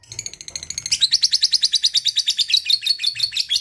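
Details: Lovebird ngekek chattering song, rapid shrill chirps gaining strength after the first second into a steady run of about three notes per second.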